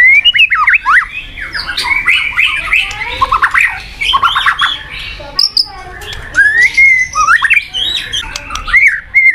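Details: Caged white-rumped shama giving dense, rapid chattering phrases of short slurred whistles and squeaky notes, changing pattern every second or so with brief pauses.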